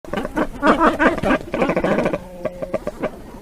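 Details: Cormorant calling: a rapid run of harsh, guttural croaking pulses, several each second and overlapping, then a few softer, spaced clicking notes near the end.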